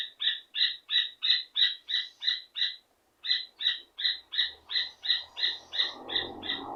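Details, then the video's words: Rufous hornero singing to call a female: a rapid, regular series of clear ringing notes, roughly three per second, pauses once briefly, then continues while faint low rustling noise rises toward the end. "som de joao de barro cantando - Joao de barro chamando"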